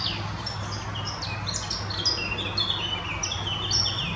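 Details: Treecreeper, either short-toed or Eurasian, Munich Botanical Garden: thin, very high sibilant slurs and tsee notes tumbling quickly and overlapping over a steady low hum.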